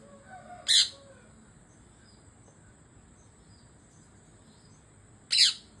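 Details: Indian parrot chirping while eating papaya: two short, harsh, screechy bursts about four and a half seconds apart, with a steady thin high hiss running underneath.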